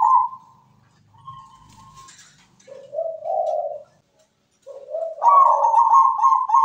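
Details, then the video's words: Perkutut, or zebra dove, kept as a captive songbird, giving soft rolling coos that step from a higher note down to a lower burbling one. The phrase ends on a long, loud, slightly wavering coo. Recorded indoors. "MEWAH PERKUTUT GACOR SUARA MERDU"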